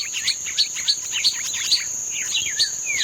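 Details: Green-winged saltator in "treme terra" style song, 31 May 2025: fast run of sharp, downslurred whistles with bright high accents about every third of a second, then a few longer sweeping notes, with a constant shrill insect buzz behind.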